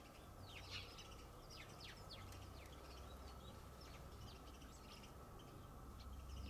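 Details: Male brambling: a scatter of short, sharp, high chirping notes several times a second, somewhat faint, over a steady low rumble of background noise.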